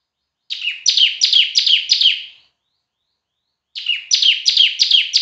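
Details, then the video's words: Bar-winged prinia (ciblek), semi gacor with a strong loud voice for masteran: a series of five buzzy, falling chirps, a pause of over a second, then another rapid set of five. "Burung Ciblek Semi Gacor Suara Keras Buat Masteran"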